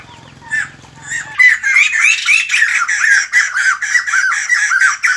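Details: Morning song of the white-crested laughingthrush, or bồ chao: a faint low hum and scattered notes at first, then a sudden loud burst of raucous, rhythmic cackling phrases, repeated several times a second to the end.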